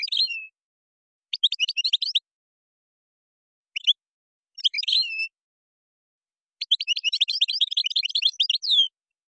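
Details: European goldfinch singing Moroccan-style gazrat and srrr bertbertio song: several short separated twittery bursts, including slurred downward notes, leading into a long, rapid sequence of bright, high-pitched chirps, recorded cleanly without background noise.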